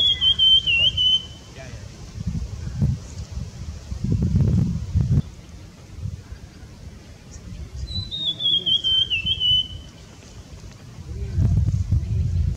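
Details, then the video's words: Sibia singing in the high Himalayas, India: two long, high whistled phrases that slide downward, about seven seconds apart, over steady low rumbling and faint murmuring voices. "Beautiful Sibia singing"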